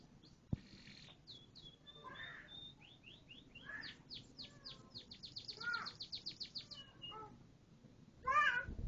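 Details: A canary sings varied phrases: clipped high notes, a quickening trill that accelerates into a rapid rattle, then scattered chirps and a loud harsh burst at the end, with a sharp click near the start.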